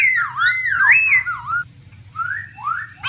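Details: Female black laughingthrush singing, kept to stir caged birds into song: clear whistled phrases swooping up and down, a loud rolling sequence followed by softer rising slurred notes after a brief pause.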